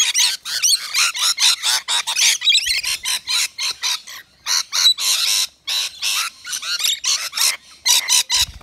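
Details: Native Australian rainbow lorikeets at a balcony feeder with nectar wet mix; steady run of short, harsh screeching bursts, each a fraction of a second, repeating quickly with brief gaps throughout, several birds overlapping.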